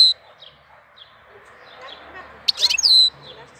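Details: Singing bird in April: a faint chirp opens, then after a quiet hiss a loud cluster of sharp clicks runs into a bright, falling whistled note.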